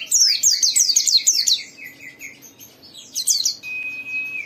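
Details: Gacor white-eye song played to spur other white-eyes into singing: quick high slurred notes tumbling downward over lower twitters, a second excited burst, then a thin steady whistle held at the end.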